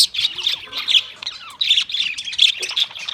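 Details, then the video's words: Australian parrots chattering in busy, overlapping squawky chirps, high and harsh, bursting in quick clusters with brief dips between them. "Beautiful Australian parrot video Bird Chirping sounds"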